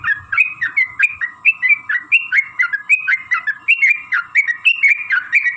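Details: Sooty-headed bulbul, long 'ropel' singing as a lure for other bulbuls; loud, clear bubbly whistled notes, each rising then dropping, repeated about three times a second over a faint hum.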